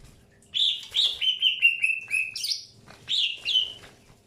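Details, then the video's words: Greater green leafbird during early pairing, calling a fast chain of downward-slurred whistled notes, a harsh squeaky note, then two more clear whistles. "PROSES PENJODOHAN AWAL BURUNG CUCAK HIJAU"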